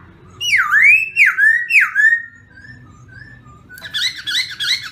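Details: Black-throated laughingthrush singing: loud swooping whistled notes that dip and rise, repeated about three times, then softer level whistles and a brighter, higher warbling burst at the end.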